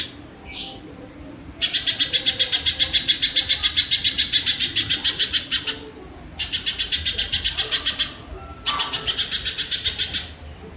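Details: Kingfisher audio for tutoring cage birds: a brief high squeal, then three long bouts of rapid, rasping notes at nearly four per second, with short silences between them.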